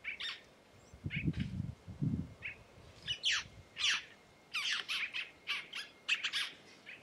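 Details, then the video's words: Red-necked tanager, locally called Maria Preta, singing in the Caatinga: a run of short, sharp, high chirped notes, first spaced, then tightening into rapid clusters toward the end, with low dull thumps early on. "Tiê Caburé Cantando"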